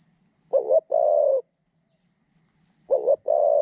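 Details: Spotted dove used as a decoy to catch other doves, medium-pitched: two phrases roughly 2.4 seconds apart, each a short wavering coo followed by a longer even coo.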